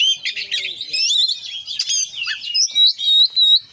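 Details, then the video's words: Oriental magpie-robin singing in the 'konslet full isian' style. Quick scratchy twitters open the song, which then settles into clear sustained whistles repeated a few times. "kacer gacor KONSLET full isian"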